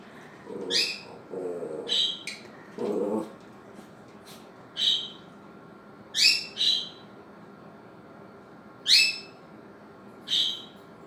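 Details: A female Quaker parrot kept as a pet teases the family dog from the floor. Low dog growls open the recording, then a run of sharp, clipped squawks follows, some in quick pairs, with gaps of a second or two.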